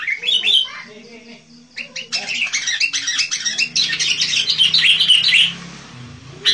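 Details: Sooty-headed bulbul singing lively, recorded for luring wild birds; scattered chirps build into a rapid, busy run of bubbly, warbled notes, with a quieter low murmur underneath.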